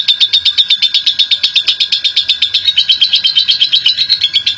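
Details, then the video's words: Champion lovebird giving a long ngekek chatter used to provoke other lovebirds: a rapid, even stream of harsh high chips, about six to seven per second, continuing without break, over a faint steady tone. "Love Bird Prestasi Cerewet Ngekek Panjang !!!Pemancing Love Bird"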